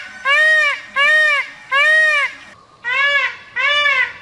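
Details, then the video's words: A peafowl gives five loud, nasal, wailing calls, each rising then falling: three calls, a short pause, then two more, with a faint background murmur. "Suara AYAM MERAK"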